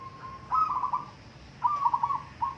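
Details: Local zebra dove in a singing contest, giving two bursts of soft trilling coos, each a short lead note followed by a rolling, bubbling phrase, over faint background murmur.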